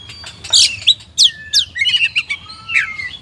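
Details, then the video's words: Oriental magpie-robin (kacer) song recorded as a training master for contest birds: loud sharp downslurred notes followed by a jumble of quick whistles and a long thin falling whistle. "SUARA BURUNG KACER, MASTERAN PARA JUARA"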